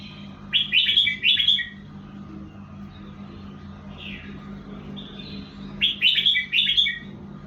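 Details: Two bursts of lively chirping, warbled song from a red-whiskered bulbul, separated by a quieter stretch with faint notes, over a constant low mechanical hum.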